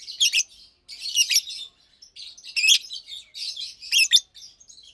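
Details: Chirping pair of adult Fischer's lovebirds, one blue with a white head, one pastel green: dense scratchy twitter with loud sharp chirps roughly each second or so.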